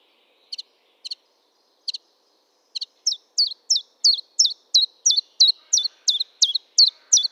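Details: [['Common chiffchaff song: four soft, quiet double chirps, then a run of about twelve loud, high, downward-hooked notes delivered evenly, roughly three per second, in a clean, quiet setting.']]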